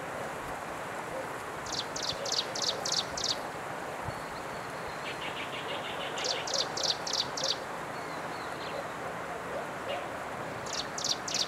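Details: Striped prinia recorded on 11 April 2023 in Jianshi Township, Hsinchu, Taiwan: high, buzzy clicking phrases of rapid repeated notes in short bursts, separated by pauses, over steady background hiss.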